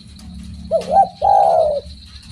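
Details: Spotted dove cooing: a short, low, hooked note, a brief second rising note, then a longer sustained mellow coo that fades at the end. A faint steady high hum runs underneath.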